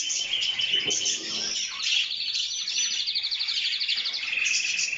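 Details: Canaries singing: a dense, high stream of warbled trills with a short clear whistle, then a steady rattling roll that speeds up toward the end, continuous throughout.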